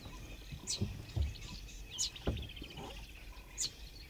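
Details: A Diederik cuckoo chick, raised by Southern Grey-headed Sparrow foster parents in Sub-Saharan Africa, begs and is fed: thin, high-pitched chirps and a brief rapid trill, spaced irregularly, with low rumbling background and soft thumps.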